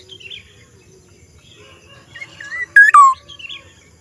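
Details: Black-naped oriole uttering a strange call late in the clip: soft whistled lead-in notes, then a loud rasping note that drops into a long descending whistle, with quiet chirps from other birds.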